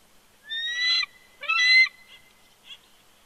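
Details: Wild bald eagle at its Big Bear Lake, California nest in January 2020. The male protests being coaxed off the eggs with two loud, strained, harmonic whining calls, then softer short notes.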